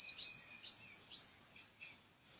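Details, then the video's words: Three loud, very high, upward-sweeping bird chirps follow one another about every half second, then two softer lower notes trail off in near silence. "Sound of bird"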